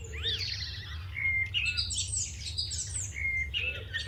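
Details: House sparrows chirping in the morning: a busy run of short bright cheeps and twitters tumbling over one another from several birds, over a low steady outdoor rumble.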